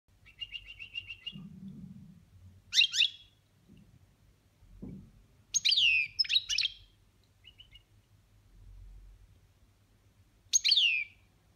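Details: Kept European goldfinch singing in the boniments style, one of the ways this bird delivers it: short bright twittering phrases, some rapid trilled, some with rising and falling slurred notes, given in bursts separated by pauses of one to two seconds, with a faint low hum underneath.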